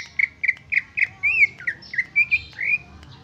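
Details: Greater green leafbird singing its original song, without imitated fill-in phrases: clear whistled notes near one pitch, repeated about every quarter second, with a few slurred rising and falling whistles mixed in.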